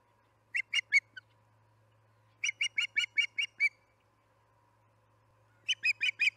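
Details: Osprey at the Charlo nest during an evening feeding, 6pm on July 9, 2019: three bursts of short, sharp chirped notes, each burst of four to seven quick repeated calls, separated by pauses, over a faint steady hum.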